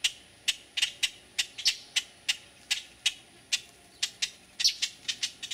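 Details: A juvenile Black-crested titmouse at Resaca Los Fresnos, San Benito, Texas, on 6 June 2012, gives short, harsh, scratchy notes, roughly three per second at an uneven pace, over a faint high hiss.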